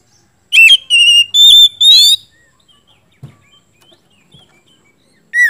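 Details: Loud gacor ngeplong song of an oriental magpie-robin, meant to provoke a silent bird into singing back. Four strong whistled phrases come in quick succession, rising slightly, then a long near-silent pause before a short downward whistle at the end.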